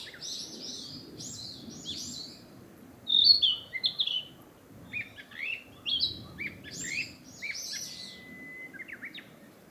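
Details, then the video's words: Narcissus flycatcher singing in a forest to defend its breeding territory after migrating north; varied high chirps and clear whistles in loose clusters, a louder phrase near three seconds, ending with a thin, level whistle. "キビタキ!七色のさえずり[Narcissus Flycatcher]"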